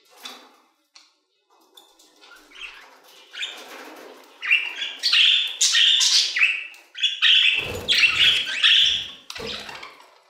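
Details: Budgerigars in an aviary, quiet scattered chirps at first, then loud overlapping scratchy warbles from several birds, with low fluttering wingbeats near the end.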